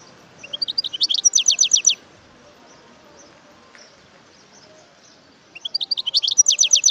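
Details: Wild European goldfinch with two bursts of bright, rapid twittering, each a quick sequence of high rising chirps, separated by about three seconds of quiet.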